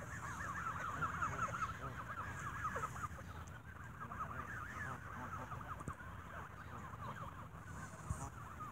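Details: Evening feeding of geese with bread brings squabbling: a continuous tangle of quick, bouncing honks and clucking squawks from many birds at once.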